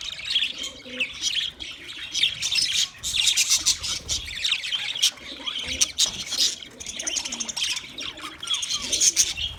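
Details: Budgies chatter in long, busy runs of high scratchy chirps and squawks that rise and fall in loudness, with brief clicks in between.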